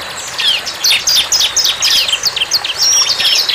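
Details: Bar-winged prinia singing in the wild: a lively, dense stream of high, sharp, slurred chirps, with a clear flat whistle near the end.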